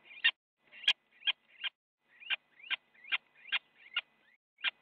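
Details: Little owls fighting inside a nest box on a live camera in the Netherlands, one biting the other, January 8, 2017, 8:42 in the morning: short upward-swept squeaks followed by sharp clicks, about two to three per second, irregular.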